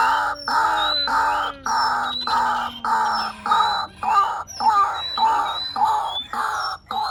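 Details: Rhythmic, harsh croaks from a white-breasted waterhen on a lure recording, blocks of sound repeated almost twice a second, with a low steady hum early on and high thin whistles from other birds.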